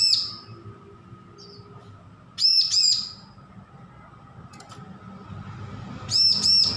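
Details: Young, newly weaned bar-winged prinia learning its song gives three separate bursts of two to three loud, sharp, ringing high notes, spaced roughly two seconds apart, with quiet low background rumble between them.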